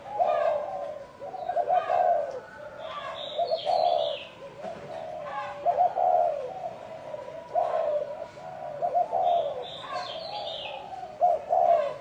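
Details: Spotted dove singing in the chuông đồng (bronze-bell) style, used to call in wild birds and rouse both sexes. Repeated low coo phrases, a short stuttered lead-in then a drawn-out note, with frequent high chirping from other small birds.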